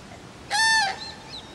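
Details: Common cranes at Friskalanlahti bay: one loud, ringing, trumpet-like call lasting under half a second, rich in overtones, over a quiet background.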